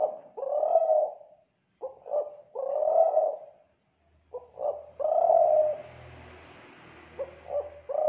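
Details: Spotted dove from Kelantan, a lure for doves. Repeated phrases of short stuttered notes and a long mellow coo, with a quiet pause mid-way and a faint low hum and hiss in the later phrases.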